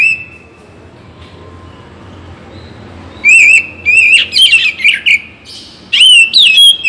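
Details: Oriental magpie-robin (Bagong), morning and evening song played to liven up other singers. After a quiet stretch, loud warbling whistles break out in two quick, uneven bursts, mixed with harsh chattering notes.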